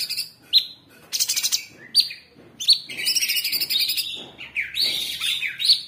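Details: Caged Orange-bellied Leafbird singing for cage bird training in 'tembakan' style: sharp whistled notes mixed with fast chattering bursts and wavering, slurred warbles, almost continuous.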